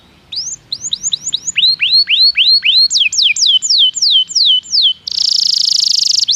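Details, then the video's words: Canary song meant to lure other canaries into singing. Tours of rising, then falling whistled notes end in a loud, dense buzzy roll. "PANCINGAN JITU SUARA BURUNG KENARI"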